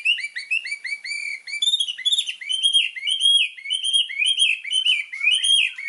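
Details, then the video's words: White-rumped shama master song: a steady stream of bright, slurred whistled notes, repeated rhythmically about twice a second, forming a lively and varied phrase. "MASTERAN MURAI BATU GACOR !!! FULL ISIAN LANGSUNG EMOSI !"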